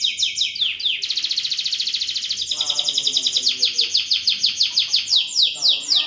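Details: Canary singing in lively cengkok mewah style, shifting from sweeping notes to a dense high buzzing trill, then rhythmic repeated slurred syllables with softer lower notes beneath.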